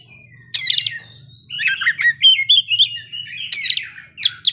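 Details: Kacer (Oriental magpie-robin) opening with a harsh burst, then running through twittering and whistled isian phrases and further rasping notes, with a steady faint hum below.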